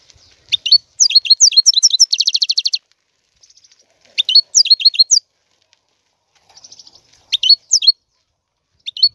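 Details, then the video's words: European goldfinch song: bursts of tinkling, bouncing high notes with a fast buzzy trill, repeated in phrases separated by pauses of a second or more, with soft faint notes between. "تغريد طائر الحسون"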